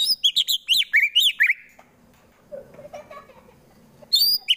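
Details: Captive white-rumped shama from Wonosobo, Central Java, singing a fighter-style song used to provoke rival birds into fighting: loud bursts of sharp, rapid whistled notes sweeping between high and mid pitch, a quiet gap with faint low murmurs, then renewed phrases.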